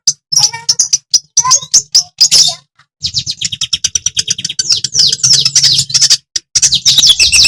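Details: Madura long-tailed shrike in energetic, nonstop song, used to provoke other shrikes into singing: rapid sharp chips and harsh scratchy notes, then a dense run of high, buzzy trills and whistles with only brief pauses, over a faint low hum.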